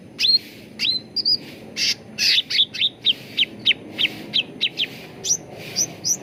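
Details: Grey-bellied bulbul song played to encourage birds to sing: a lively, fast series of sharp rising chirps and whistles, about two to three per second, over steady background noise.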